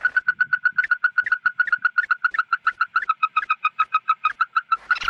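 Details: Red-eyed bird calling its flock, used as a lure: a long, rapid, steady series of identical clipped notes, close to four per second, growing slightly richer toward the end.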